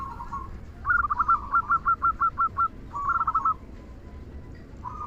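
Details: Loud kung song of a local zebra dove, played to stir quiet doves into singing. A fast staccato run of about eight clipped, bouncing coos, then a short rolling phrase over a soft murmur of distant dove calls.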